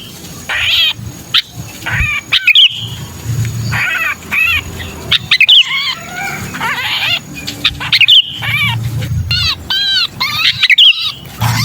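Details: Lure recording of a trapped sooty-headed bulbul: bursts of grating, harmonic squawks separated by short pauses, with several high sharp whistled notes and a faint low hum behind.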